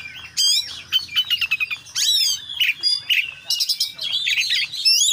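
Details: Oriental magpie-robin (kacer) singing energetically in the "gacor" style with a "full isian" song packed with varied phrases: a dense, rapid run of sharp chirps, rising and falling whistles and buzzy trills, nearly continuous over five seconds, with a faint low hum beneath.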